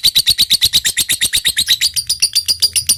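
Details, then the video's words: Singing lovebird giving the ngekek chatter, a recording used as a lure so other lovebirds reply with long ngekek: fast, sharp, high-pitched notes repeated about seven times a second, slightly looser and harsher toward the end. "suara lovebird gacor ini SANGAT DI REKOMENDASI untuk MENJADIKAN lovebird gacor NYAUT NGEKEK PANJANG"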